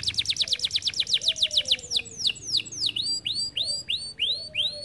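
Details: Canary in full song opens with a quick run of about a dozen sharp repeated notes, then slows into clear downward-curving whistles repeated about twice per second, each slur sweeping from high to lower pitch.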